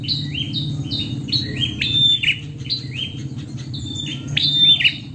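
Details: Female prinia calling to the male: rapid series of high chirping notes, each a short downward-sliding slur near the top of the range, overlapping as if from more than one bird, over a steady low hum.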